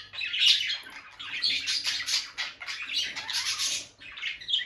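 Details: Bonded pair of caged peach-faced lovebirds, male and female, near their nest box as the female goes in and out, sitting close and touching beaks; harsh, squawky chirps in dense overlapping bursts, high-pitched and continuous with brief pauses, indoors without talking or music.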